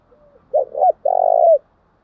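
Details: Female spotted dove used as a lure to draw wild doves in fast, calling in the thúc gù and gáy gọi styles: a soft lead-in note, a bumpy double coo, then one long steady low coo that slurs down at the end.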